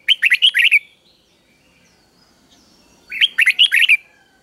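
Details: A red-whiskered bulbul sings a three-syllable doubled song, played to teach young birds: two quick bursts of bright, bubbly whistled notes, each phrase under a second and repeated after a short pause, against a quiet background.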